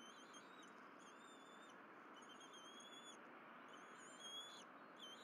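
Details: Bald eagles at the Berry College nest on a morning in April 2023, mother delivering fish and three eagles feeding. Thin whistled notes with bright overtones, several drawn-out squeals across five seconds, over a steady broad hiss.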